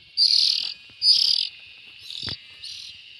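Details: Two strong raspy buzzes from young bulbuls, followed by two weaker ones and a sharp knock.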